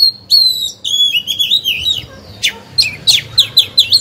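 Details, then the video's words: Oriental magpie-robin kept as a decoy singer to provoke other birds: steady, clear, level whistles break into warbled phrases, followed by sharp, sweeping high notes in quick succession. "Chòe than hót hay, luyện mồi, kích bổi, tập chim non, mép vàng hay!"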